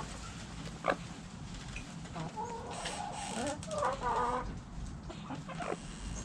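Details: Hens and roosters kept in a backyard, heard as a chorus of wavering, nasal clucks and short squawks rising and falling in pitch, with a sharp knock near the start and steady low background hum.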